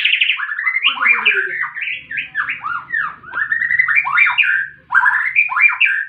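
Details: Fighting song of a white-rumped shama used to provoke a bird into singing: continuous loud warbling of fast looping slurred whistles, phrases repeated with barely a pause.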